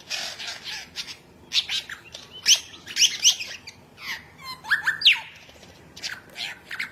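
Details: Lyrebird of Australian forest giving a mixed string of high sharp chirps, quick downslurred whistles and buzzy notes with irregular spacing, set against a low constant background hum.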